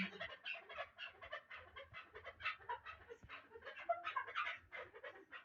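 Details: Young Bartang chukar partridge from the Pamirs, a last-year chick kept for hunting, heard more distantly: irregular quick chuk notes, some sharper and higher, with faint low rumble beneath.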